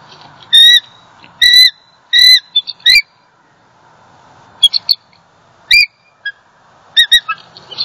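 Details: Bald eagles at a nest in Southwest Florida on 28 December 2020, the female calling in distress after a great horned owl struck the male from the nest: thin whistled notes, several short paired bursts, then later clusters of sharper chirps.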